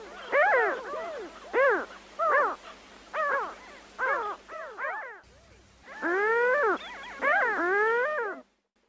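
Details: Gulls call with a series of loud, downward-arching, yelping notes, evenly spaced at first, then longer, more drawn-out cries near the end over a low steady hum.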